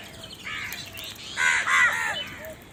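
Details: Crow giving a couple of harsh, raspy caws in close succession, with faint lower calls fading in and out around them.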